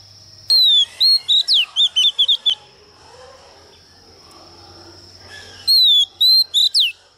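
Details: Lure female Oriental magpie-robin singing to incite males: a rapid string of about nine clear whistles and slurred chirps, a pause of three seconds with low hum, then four more loud, falling whistled notes.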